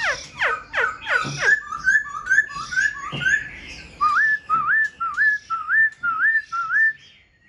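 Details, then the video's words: Black-throated laughingthrush in a cage, tail fanned and wings raised, starting with quick falling whistles, then a steady series of upslurred whistled notes repeated roughly every half second and fading at the end. "Khướu bạc má VIP đuôi xòe, múa cánh giọng cực hay"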